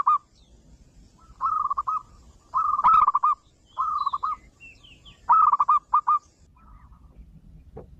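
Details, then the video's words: Zebra dove, a young local wild bird, giving lure song so other doves join in: repeated short cooing phrases, each a held note breaking into quick pulses, about six in eight seconds, with faint high chirps of other birds. "SUARA PANCINGAN MANGGUNG BAKALAN PERKUTUT LOKAL ALAM BIKIN PERKUTUT LAIN IKUTAN MANGGUNG"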